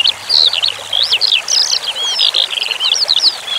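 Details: Skylark giving tutoring song with water relaxation sounds: an unbroken run of high, shrill warbled notes, twisting slurs and rapid chips over a steady pouring trickle.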